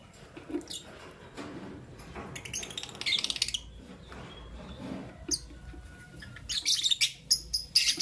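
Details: Albino and euwing green opaline lovebirds in the morning give irregular bursts of buzzy, high twittering chirps between quieter stretches of soft clicks and rustling, with busier chattering toward the end.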